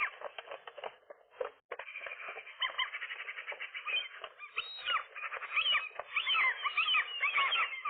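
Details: Gulls during a fight between a nesting pair and a lone gull, morning, April 2023; rough scuffling noise at first, then a rising run of quick arched yelping calls.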